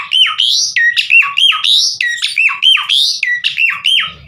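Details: Javan pied starling repeating a rhythmic phrase used to bring other starlings into song: loud slurred whistles that dip and rise, about two per second, steady throughout.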